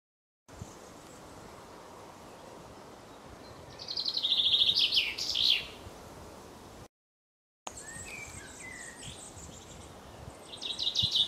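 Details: Nuthatches, a pair feeding their young at Mere Sands Wood, Lancashire, on an afternoon in June 2013: a dense burst of rapid, high chittering notes rises midway and then fades, with a brief break and more high chatter near the end over steady background hiss.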